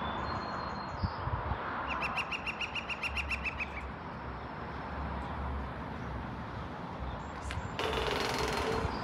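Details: Woodpecker in Seattle calling from a metal chimney crown, said to be calling for females: a quick run of about a dozen sharp, even notes lasting under two seconds, over steady background hum.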